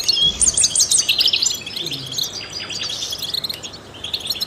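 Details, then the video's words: European goldfinch, a trained bird singing to stimulate songbirds, opens with a loud run of repeated bright chirps, then continues in softer, fast, tinkling twitters and high buzzy notes. "in the wild goldfinches chirp to stimulate songbirds"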